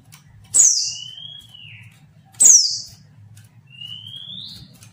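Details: Female white-eye luring males to sing: two shrill falling squeaks, each trailed by a long level whistle, then a lone rising whistle at the end, all over a soft low hum.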